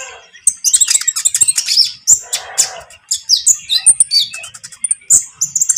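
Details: Trotol-style calling from a konin lovebird, meant to stir a rival bird into singing: a continuous stream of sharp, very high-pitched chirps and squeaky notes delivered in quick irregular bursts.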